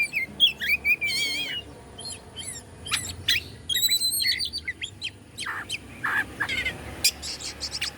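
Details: Oriental magpie-robin song from Bandung, Indonesia, used to stir up rival magpie-robins: quick warbled whistles and wavering trills early, then clustered sharp notes and rasping chips with short pauses between phrases.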